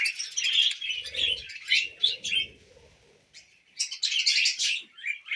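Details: Tame pet budgerigars eating millet: busy high chirps and scratchy warbling in bursts, with a brief quiet gap near the middle before the chattering picks up again; faint low knocks underneath.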